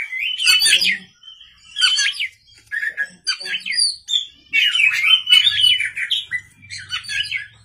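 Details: White-rumped shama singing at night as a lure song: loud bursts of varied whistles and harsh chattering phrases separated by short pauses, with a faint low hum underneath.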